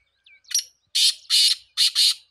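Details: Harsh, broadband call of a black francolin: a brief squeak and a short note, then three loud grating bursts, the last doubled, in quick rhythm.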